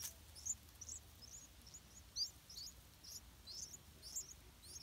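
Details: Yellow-vented bulbul chicks in a nest hidden in an areca palm, begging as their parents bring large insects to feed them; thin, high, squeaky upslurred chirps in quick irregular succession, several per second, over a quiet background.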